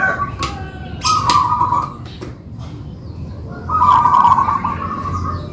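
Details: A duet between two local-type zebra doves kept by owners. The clip holds two loud, rolling, bubbly coo phrases about two seconds apart, with quiet gaps and a faint low background rumble.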